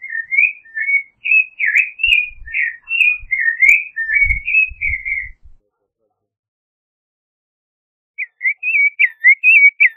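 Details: Song of the Creamy-bellied thrush: a five-second string of quick, wavering whistled phrases, then a pause, then another burst of clipped notes. Faint low thumps sound underneath the first phrase.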